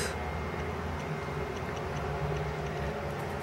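Steady low indoor hum and rumble with faint ticking, and no animal voice.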